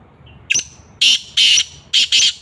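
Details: Black francolin in Sindh, Pakistan: one short squeak followed by four loud, harsh, grating bursts in two closely spaced pairs.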